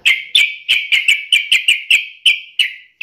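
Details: Yellow-vented bulbul singing to taunt a rival, about a dozen bright notes with sharp starts and drawn-out falling tails, repeated roughly three times a second.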